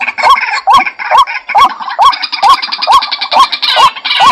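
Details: Steady White-breasted waterhen calling. Upslurred croaks come roughly every 0.43 seconds, with a harsher, rattling layer that grows denser toward the end.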